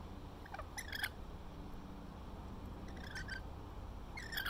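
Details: Rainbow lorikeets conversing as they feed on grapes at Little Manly in Sydney, Australia; brief grating squawks come in three separated bursts against a constant low hum.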